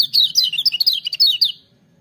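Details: Lemon-bellied white-eye in loud, full-voiced song, a fast tumble of high chirping notes that rise and fall, ending after about one and a half seconds into quiet.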